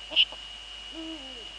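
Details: Eurasian eagle-owl pair in the Netherlands, female sitting at the nest and male nearby, 19:15 on 2 February 2013: after a brief click, a low, steady hoot that drops slightly in pitch at the end, over faint hum.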